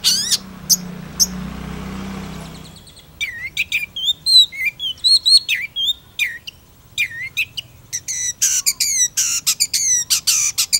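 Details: After a few seconds of background hiss with a few chips, a Long-tailed Shrike sings a lively medley of rising whistles, twisting notes and harsh buzzy chatter.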